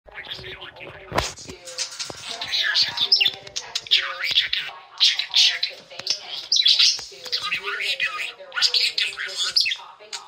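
A budgerigar chatters in a rapid, warbling stream of high chirps, clicks and squeaky phrases.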